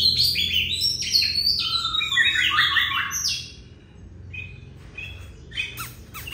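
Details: Long-singing oriental magpie-robin: rich run of quick whistled notes and slurs, dense for three seconds, then fainter scattered notes and sharp chips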